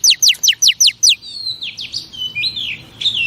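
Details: Female oriental magpie-robin song for stimulating male pet birds: six quick, sharply falling whistles, followed by softer slurred and wavering whistled notes.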